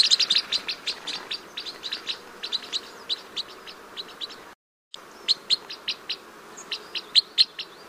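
Red Crossbill giving a rapid series of sharp, high chirps and short trills, several notes per second, with a brief gap midway and a faint background hiss.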